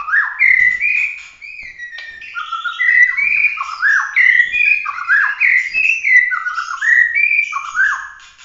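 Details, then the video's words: Bahorok white-rumped shama in competition form, 'tembakan' style: a continuous run of rich, fluty whistled phrases that rise and fall in quick varied slurs, loud and unbroken for the whole stretch. "kicau prestasi full emosi suara tembakan murai batu Bahorok asli"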